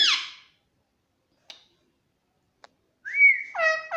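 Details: Pet Indian ringneck parakeet chirping. A harsh squawk opens, then near silence with two faint clicks. It ends with a whistled note that slides upward and two rich, nasal chirps.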